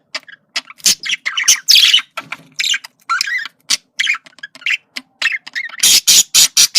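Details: Budgerigar, a male, communicating with varied squawks, warbles and clicks in uneven bursts, finishing with a rapid series of loud sharp chirps.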